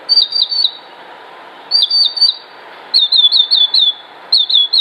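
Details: Male northern mockingbird singing to court females in the breeding season: clear high whistled notes in quick runs of three or four, each run repeated after a short pause, with thin high ticks above and a soft background hum.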